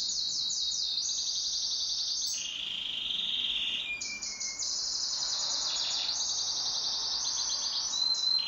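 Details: Canary kept as a pet, singing in duet: sustained rapid rolling trills fill the whole stretch, shifting between high and lower phrases, with only a brief dip in loudness midway.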